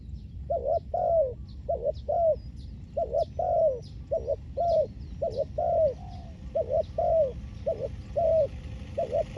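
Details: Spotted dove recorded during ground-level decoy luring of wild doves. It gives mid-pitched, slightly rising and falling coos in short clustered phrases across the clip. Faint high chirps from other birds are heard over a low background hum.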